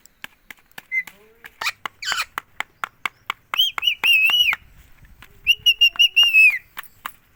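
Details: Pet green ringneck parrot saying "mummy" over and over: a rapid series of dry clicks and short chirps, then two strong, sustained, buzzy harmonic phrases broken into pulses, each about a second long.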